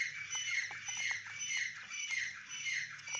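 Grey francolin chicks keep up a dense chorus of thin, high, squeaky peeps, overlapping almost nonstop, over a faint low hum.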